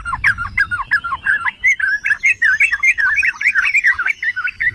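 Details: Yellow-vented bulbul, locally trucukan or cerukcuk, song used as a lure to provoke other bulbuls into singing: a fast, bubbly run of liquid warbled notes, about two to three per second, with soft low thumps underneath.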